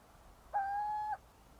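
A single steady, hollow whistled note from a little owl, held for about half a second at a mid pitch, over faint background hiss.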